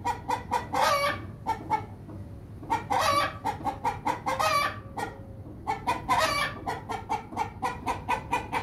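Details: Rooster cackling in bursts of short, harsh, buzzy clucks. Quicker runs swell into longer, louder notes, with brief pauses between the bursts.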